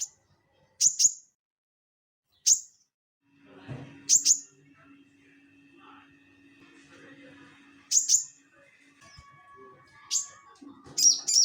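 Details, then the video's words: Crested jay singing actively, kept as tutor audio for caged songbirds. Sharp, very high squeaky notes arrive singly or in close pairs every one to three seconds, over a faint steady hum and soft background rustling. "SOGON GACOR NGELEPER"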